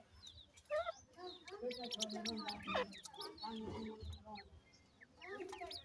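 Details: Grey francolin chicks (Dakhni titer babies) with a parent: many quick, high peeps sliding downward, with low soft clucks and a slurred louder call midway, over a steady low background hum.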